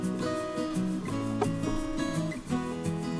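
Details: Strummed acoustic guitar music fills the recording, with no birds or other animals audible.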